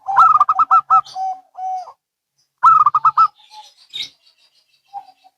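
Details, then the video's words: Zebra doves, a local and a Bangkok bird, answering each other: a fast rippling burst of higher coos drops into lower drawn notes, then a second burst follows after a pause, trailing into soft chirps. "Perkutut Lokal & Bangkok Bunyi Saling Bersahutan"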